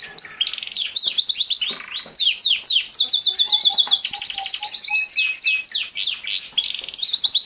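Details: Canary singing as training song for a young male canary: dense, rapid warbling of sweeping whistles and buzzy trills, rattling rolls high in pitch, continuous and varied throughout, with a faint lower tonal note repeated in the middle.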